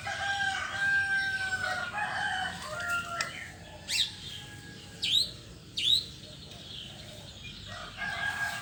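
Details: Morning song of a white-rumped shama: warbled tonal phrases early on, then three sharp, high downward-sweeping notes spaced about a second apart, followed by quieter whistles.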